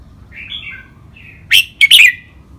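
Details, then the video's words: Red-whiskered bulbul singing in trained styles, rik and counted notes: low soft warbling gives way to two sharp, loud whistled bursts sweeping up and down. "นกกรงหัวจุก เสียงร้องเล่นริกเบิ้ล ลากหวาย แม่บท นับดอก ครบเครื่อง"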